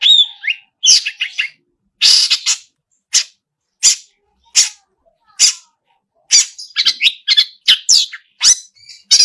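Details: Long-tailed shrike singing vigorously with imitated phrases: abrupt harsh rasps and chattering notes, spaced irregularly and then crowding together toward the end.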